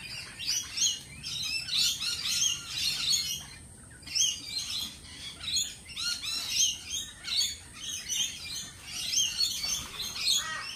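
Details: Crowd of lorikeets at a lorikeet cafe, giving constant shrill, high-pitched chirps and screechy squawks in overlapping bursts that swell and fade roughly every second, with a brief lull around the middle.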